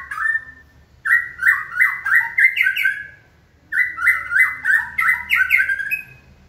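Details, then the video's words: White-rumped shama stimulated to sing during training on a human signal: two runs of fast, repeated chattering notes, several per second, stepping slightly higher toward the end, with a brief pause between runs. "Kỹ thuật kích thích lửa cho chim hót (shama bird)"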